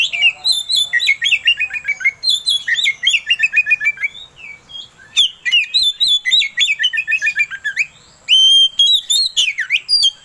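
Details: Provoking song of the kacer, or Oriental magpie-robin, meant to excite another bird: long runs of rapid descending chirp series, varied whistles, and a sharp rising whistle near the end.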